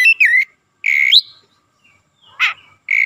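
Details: Oriental magpie-robin (kacer) in 'gacor' lure song. Short loud notes, a sliding whistle, a flat whistle ending in an upward flick, a rough burst, then another whistle starting.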